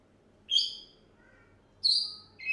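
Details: A one-year-old African grey parrot gives two sharp, high, harmonic-rich chirps about a second and a half apart. A third begins at the very end, over a faint low background hum.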